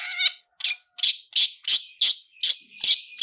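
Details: Rapid 'toet toet' phrase of a long-tailed shrike, used to trigger singing: a buzzy opening note followed by eight harsh, evenly spaced high bursts, roughly three per second.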